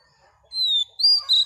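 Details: Female Oriental magpie-robin song, given to stimulate males: after a brief silence, a long clear whistle drifting slightly downward, then a brighter, higher held whistle and a final short note.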